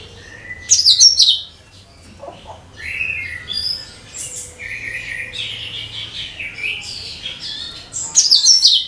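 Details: Cucak kinoi bulbul singing as a lure call for every type of bird. High sharp chirps are followed by a run of warbled, slightly rising whistles and a fresh loud burst of notes at the end.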